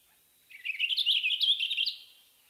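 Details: Western Purple Finch song: one short, bubbly, ascending warble of about one and a half seconds, a discrete phrase, high and clear with no harsh buzzy or rough notes.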